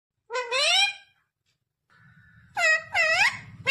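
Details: Pet ringneck parakeet talking indoors, said to say words such as mummy and papa: two bursts of nasal, harmonic, voice-like syllables with bending pitch, separated by a quiet pause with a faint steady tone.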